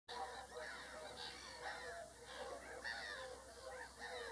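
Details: Whooper swans calling: overlapping nasal, honking notes from several birds in a continuous chorus, some rising and falling, with a steady faint hiss throughout.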